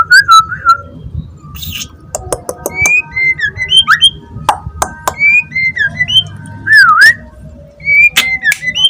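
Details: Young wild white-rumped shama singing from a held cage. It gives loud, sweet, slurred whistles, including a deep swooping note, along with metallic clicks and high chips in an uneven, lively sequence.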